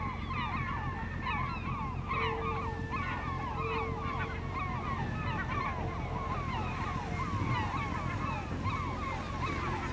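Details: Steller's eiders calling at Vardø in northern Norway on 5 April 2017, no wind: many overlapping bent, nasal notes in a continuous busy chatter for ten seconds, backed by deep surf rumble and intermittent faint hum.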